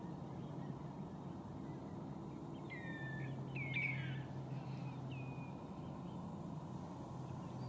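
Bar-tailed Godwit giving four or five short, nasal, slurred calls over about three seconds, set against a steady low rumble of wind or distant traffic.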